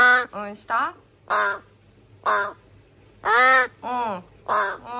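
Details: Three rescued crow chicks, found abandoned in a garbage bag, are filmed indoors in July 2022, 26–27 days into care and now very noisy. They give loud, harsh, nasal begging caws, about eight bursts in five seconds, some rising, some falling, in a small room.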